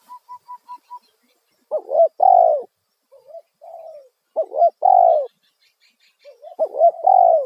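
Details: Spotted dove lure call meant to attract wild doves, opening with five quick even piping notes, then loud phrases of a bent double coo followed by a long falling coo, with a softer quieter coo between phrases.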